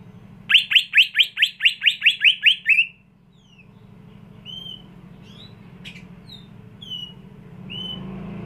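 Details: Greater green leafbird kept in a cage at home in Indonesia rattles off about twelve rapid, sharp downslurred whistles in just over two seconds, then gives scattered single slurred whistles over a steady low background hum.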